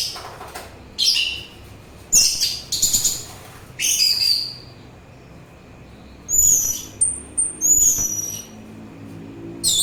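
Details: Song of an orange-headed thrush, offered as therapy and as a lure: clusters of high, rapid, rasping phrases, then clear thin whistles sliding down and up in the second half.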